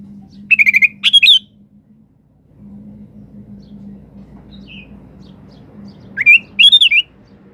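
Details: Sooty-headed bulbul singing energetically, recorded as a lure to draw a reply from other birds: two short bursts of bubbly, warbled notes, one near the start and one near the end, over a steady low hum.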